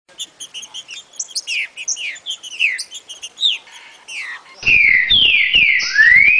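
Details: Green-winged saltator singing the "60 boi" song type, used to train young birds. Loud slurred whistled phrases, rising and falling, close the clip after a run of quick high chirps and short notes.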